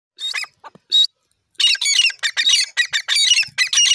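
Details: Grey francolin, called dakhni teetar, calling loudly: harsh, squawky bursts with bright high overtones, two short notes then a rapid run of repeated raucous phrases, densely packed over the last two and a half seconds.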